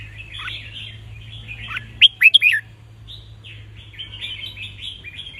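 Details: Counting-style (nap dok) song of a caged red-whiskered bulbul, used to teach young birds and get others singing. Busy soft twittering runs throughout, broken midway by one loud, clear, three-note warbled phrase, over a steady low hum.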